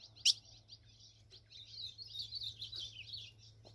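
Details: Blue-black grosbeak (azulão) singing in the tesourão song style. A soft, warbling, twittering phrase runs continuously and fairly quietly. It is preceded by one sharp loud click, with a steady low hum throughout.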